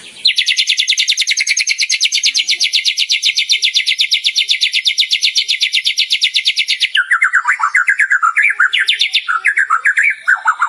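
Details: Lively white-rumped shama in full song, showing off rich mimicked material for other caged birds to learn: a steady, very fast rattle of bright repeated notes for about seven seconds, then varied lower warbles and whistled slurs.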